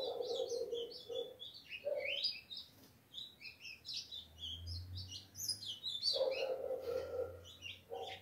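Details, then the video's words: A very tame 3-month-old captive-bred ultramarine grosbeak singing vigorously gives a busy stream of high, quick chirps and warbled notes, with a man talking over parts of it and a low hum behind. "filhote de azulão 3 meses com muita fibra"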